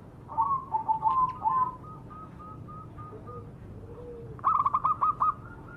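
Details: Majapahit zebra dove singing as a lure: a quick trill of coos, a string of short evenly spaced soft notes, a brief low whistle, then a loud clipped series of cooing notes.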